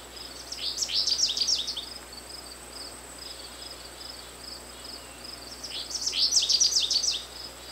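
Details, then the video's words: American goldfinch singing two bursts of rapid, high, twittering and tinkling notes about five seconds apart, each roughly a second long, with steady pulsing insect chirps throughout the background. "Chant du Chardonneret jaune/Song of the American Goldfinch"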